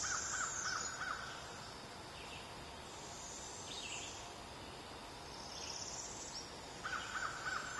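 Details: Parent barred owl feeding two owlets a week after fledging: several arched, hissing screeches high in pitch at irregular intervals, with short buzzy lower bursts at the start and end and a background insect drone.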